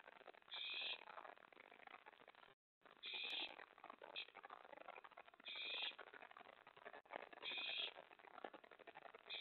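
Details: Owls at the nest around 1 AM, May 24 2017, while a mouse and then a rat are delivered and the owlet stores the rat. Short raspy hisses repeat irregularly, about five in nine seconds, among shuffling sounds and a brief gap.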